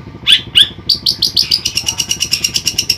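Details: Two bright squeaky notes open a fast, even series of short high pulses, about six per second, from a caged long-tailed shrike of Pemalang, Indonesia.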